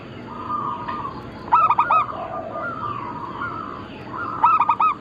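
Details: Zebra dove, a local bird of Bangkok crossing type in full voice, used as lure and training material: two bursts of quick staccato cooing with ringing overtones about three seconds apart, set against a long flat whistling tone and low noise.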